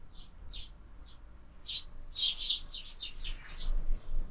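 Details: Squabbling sparrows at a feeder fixed to a window, fed all year: bursts of sharp, high chirps, scattered at first then crowding together in a rapid, uneven chatter, over faint low hum.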